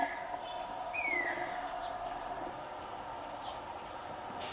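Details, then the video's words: A guira cuckoo (Guira guira) gives one clear, downslurred whistled note, preceded by a fainter shorter note, over a steady background hum. "Anu-branco: Melodias"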